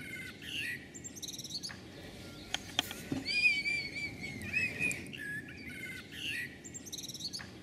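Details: Red kite on an electricity pylon near Magstadt, Böblingen district, Germany, later flying off; wavering, mewing whistles come midway, set among scattered high chirps of other birds and a few sharp clicks.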